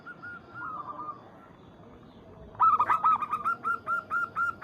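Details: Local zebra dove calling to a rival: soft, mid-pitched rolling coos, first faint, then a loud run of rapid staccato notes about four per second, over low background hiss.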